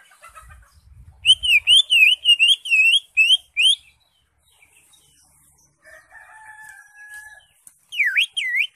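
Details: Greater green leafbird singing in the 'ngekek' style: a rapid run of about eight loud, wavering whistled notes, then a pause, a long flat whistle, and a final burst of swooping whistles.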